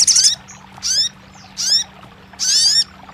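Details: Crested jay, used to prompt a quiet bird to sing: four separate high, ringing notes, each sliding downward, spaced roughly every half second to second.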